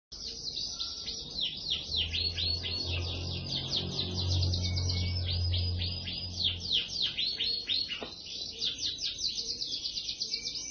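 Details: Canary singing a fast, continuous song of buzzy, repeated high trills and chirps, with brief whistled notes; a low rumble and background hum run underneath through the middle.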